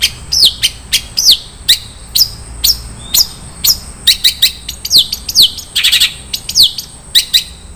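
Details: Long-tailed shrike with 'isian mewah' filler song: a series of down-slurred whistles interspersed with sharp chips and one short buzzy burst.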